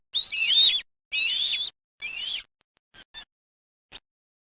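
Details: Bald eagles at a nest in Morrow, Ohio, in the morning, recorded by a live nest camera; three loud, high, squealing chittering calls about half a second each, then a few short faint notes, with silence otherwise.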